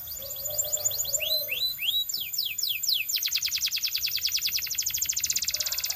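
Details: Belgian canary song opening with evenly spaced rising then falling whistled notes, then sliding into a long, very rapid trill of sharp notes that carries to the end.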